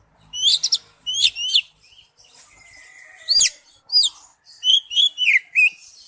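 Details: Oriental magpie-robin lure recording with sparse song: short groups of high whistled slurs separated by pauses, one sharp snap midway, then a closing series of rising-falling whistles.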